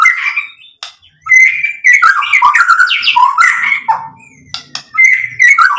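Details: White-rumped shama pouring out a dense, varied song of harsh and whistled notes mixed together, played to provoke other birds to answer.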